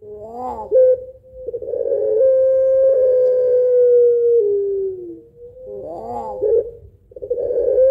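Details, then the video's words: Pelung Barbary dove performing its laughing long-voiced lure song: curving, wobbling opening notes, then a long hum drifting lower over three seconds, and the rolling opening pattern starting again. "Puter Pelung Ketawa Suara Panjang Berirama Syahdu Kuwok 2 Not Aduhai Gacor Buat Pancingan"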